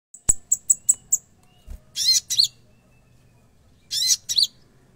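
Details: Konin singing in full, lively song with mixed imitations: a quick run of five sharp high chirps, then pairs of dense buzzy rasping bursts with falling whistled tails near two and four seconds; low background hum.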